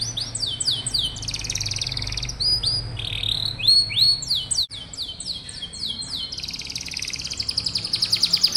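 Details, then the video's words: Canary song meant to coax young, lazy canaries into singing: series of rapid downslurred whistled notes and buzzy rolling trills, varied phrases run together, low hum in the background. "Suara burung kenari bikin hati senang, dan masteran burung kenari muda dan jarang bunyi"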